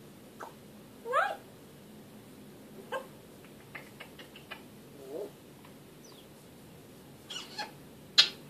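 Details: An African grey parrot, filmed talking, gives a few spaced, brief vocalizations, including a rising, meow-like squawk, soft clicks and a thin whistle, with quiet pauses between them.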